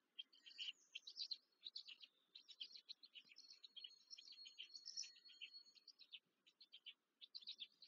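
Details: Black stork (Ciconia nigra) chicks on a nest in the Łódź region, Poland, 14 May 2023, beg with a steady stream of thin, high, squeaky chirps and wheezy notes, rising into eager bursts as they are fed.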